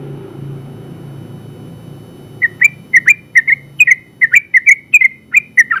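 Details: Yellow-vented Bulbul, first-place winner in a general class, in persistent long 'ropel' song: quiet opening, then quick clipped chirps about four per second, each a short bright downward slur.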